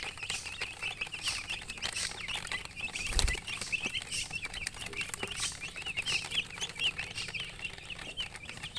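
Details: A brood of chicken chicks peeps steadily, with many short, bright chirps crowding together and a brief low thump near the middle against soft rustling.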